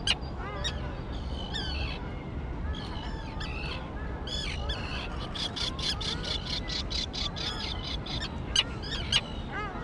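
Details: Young terns in a grassy island colony, recently fledged and flying: harsh rasping calls and short downslurred squawks overlap continuously, with buzzy chattering bursts in the middle and steady low wind rumble beneath.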